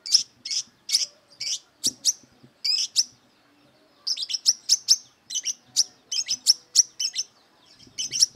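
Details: A brown-throated sunbird, aggressive and searching for a rival, delivers spaced, shrill chirps that speed up into a dense, rapid series of high, sharp notes after a short silence.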